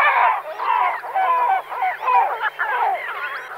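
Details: Great black-backed gull: a dense, continuous stream of overlapping hoarse, honking calls that rise and fall, several birds seeming to call over one another without pause.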